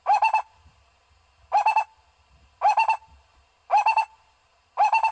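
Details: Barbet call used to bring barbets in for trapping: five bursts of four fast hollow notes each, repeated a little over once per second, with faint low rumbling beneath.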